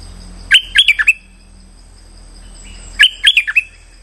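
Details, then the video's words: Streak-eared bulbul lure call for trapping: two matching phrases of four or five bright, slurred chirps, each lasting about half a second, repeated roughly two and a half seconds apart over faint hum. "Suara pikat merbah lekir"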